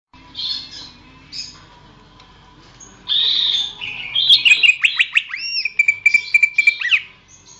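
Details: Greater green leafbird song used for training songbirds: scratchy notes, then a rapid run of sharp downslurred whistles and a sustained whistled phrase ending in a rising sweep.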